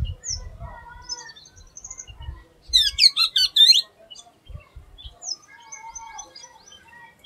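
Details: Oriental magpie-robin (doyel) with an unusual song: soft scattered whistles, then a loud second-long burst of rapid repeated chirps, then faint high notes; low thuds at the start and midway.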